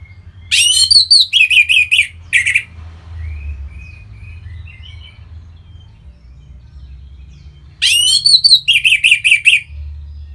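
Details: Orange-headed thrush, a cage bird, sings to encourage other birds to sing: two loud bursts, each a rising chirp then a rapid stuttering trill of harsh notes, separated by several seconds of soft whistled warbling.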